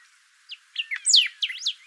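A Thick-billed Saltator sings a brief phrase of five or six quick whistled notes, some sweeping down sharply and others rising, delivered in just over a second.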